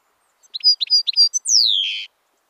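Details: European goldfinch singing, recorded 25 October 2013: a few rapid tinkling chirps, then a long, drawn whistle that slides downward and ends in a buzzy tail, clear against a silent background.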